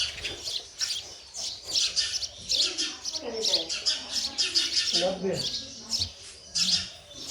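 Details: Baby sparrows being fed by a parent give busy, high-pitched chirping in rapid overlapping bursts, with a few lower murmuring sounds in the background.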